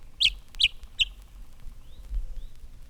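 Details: In spring, a northern mockingbird that has wandered north sings from a telegraph pole in a field. It repeats one harsh, bright note three times about every 0.4 s, then gives two thin rising whistles over low rumble. Its song resembles a brown thrasher's; Northern Mockingbird.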